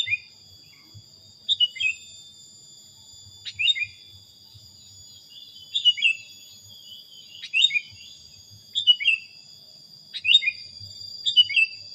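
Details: Sooty-headed bulbul on a training recording used to teach other songbirds: short, clear phrases of two or three quick falling chirps, repeated roughly every one to two seconds, with a constant shrill high-pitched whine behind them.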